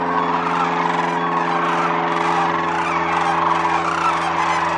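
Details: Wintering sandhill cranes at Whitewater Draw Wildlife Area, Arizona: a dense, continuous wash of rolling, overlapping crane calls from a large flock, with no single bird standing out, over a steady low droning hum.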